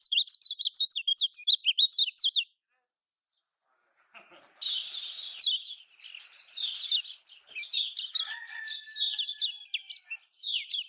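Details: High, rapid chirping from a Lombok lemon-bellied white-eye, used to set lazy caged birds singing. A quick burst of sharp notes stops, and after a hushed gap a long thin twittering sequence continues over background hiss.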